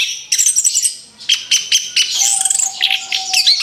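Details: Recently moulted orange-headed thrush in a therapy recording: bursts of high, bright twittering notes, a short gap, then quick rhythmic chips over a long steady lower whistle in the second half.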